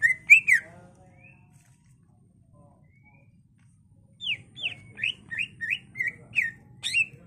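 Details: Greater green leafbird kept in captivity and used as a lure, gives a loud whistle, a long near-silent gap, then a rapid series of sharp descending whistled notes.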